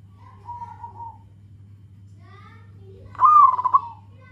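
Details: Local zebra dove calling to companions: a soft, level coo first, then after a pause a loud, rapidly pulsed bubbling coo phrase, with a low hum underneath.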